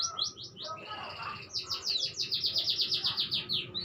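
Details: Singing canary delivering fast trilled phrases, short repeated high notes about seven per second, shifting into a brighter, louder rolling trill midway; faint background murmur.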